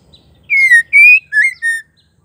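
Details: Single call phrase from a female white-rumped shama, given to get males singing: four ringing whistles, a long descending slur, a level rising note, then two shorter inflected notes, with a faint low rumble before.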